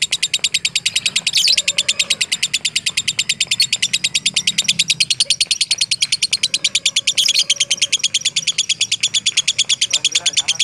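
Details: Lovebird of the fighter type giving a long, fast, unbroken run of sharp, high chirps, roughly seven a second, with a couple of brief louder bursts; faint low hum underneath.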